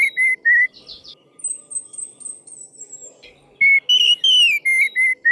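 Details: Orange-headed thrush song used as a lure to provoke silent birds into singing: loud clear whistled notes near mid-high pitch in short bursts, interspersed with high buzzy trills and a long thin descending whistle, over faint background hum.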